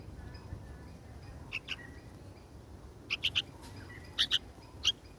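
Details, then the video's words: Red-vented bulbul fledgling that has fallen to the ground, giving short sharp chirps, single and in quick pairs, spaced over a few seconds against a quiet, faintly hissing outdoor background. "බිම වැටුනු කොන්ඩ කුරුලු පැටියා Red-vented Bulbul"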